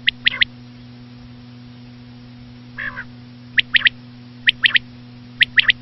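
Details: Three-part quail phrases: crisp, high, clipped notes in quick triplets, repeated roughly every second, with one nasal, harmonic note in the middle. A steady low hum is present throughout.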